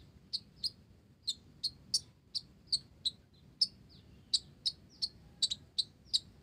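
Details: Song of an olive-backed sunbird, filled with Java sparrow phrases: evenly paced, very high, sharp ticks and chips, about two or three per second, some doubled near the end.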